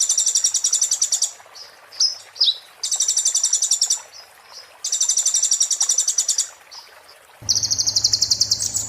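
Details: Oriental white-eye singing in the 'muntah beling' style, kept as a tutor song for magpie-robins: bursts of very high, rapid, glassy trills about a second long, separated by short sharp chips, ending with a rising high trill over a low hum.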